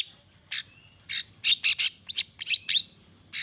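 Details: Long-tailed shrike singing to stir other shrikes into calling back: short harsh buzzy notes and quick upward-sweeping whistled chirps, delivered in an uneven run of about nine bursts.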